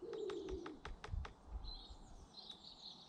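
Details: British garden birds: a brief low, soft coo opens, followed by a quick run of sharp clicks or wing flutters, then thin high chirps toward the end.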